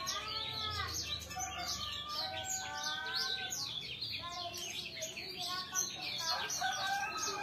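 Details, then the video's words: Restless sanger chattering in fast, overlapping high chirps, mixed with several sustained whistled tones in the middle range that come and go. "Sanger suara rewel"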